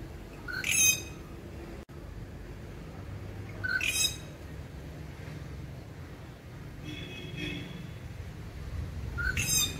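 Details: Rufous treepie, also called Indian treepie, locally ഓലഞ്ഞാലി, gives loud, harsh, rasping squawks in short bursts roughly every three seconds. A softer, thinner note sounds between them over a steady low rumble.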